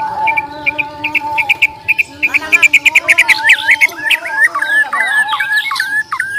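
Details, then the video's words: White-rumped shama of the Borneo type, a fighter bird singing its fighting challenge song, played to test another bird's nerve: a run of short, evenly repeated high notes, then fast varied whistles and sweeping slurs over a steady low humming tone. "TES MENTAL MURAI BATU BORNEO TARUNG"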